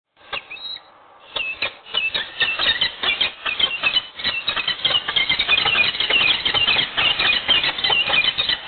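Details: Peregrine falcons at Wołomin, Poland, during a morning meeting and mating: a burst of rapid, harsh, chattering calls, more than two per second, growing louder and denser after a brief opening pause.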